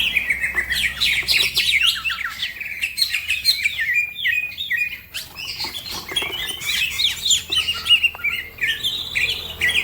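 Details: Green leafbird in fast, energetic song used to train other birds, which also start singing; a steady stream of short twittering notes and bent whistles, with a brief lull near the middle.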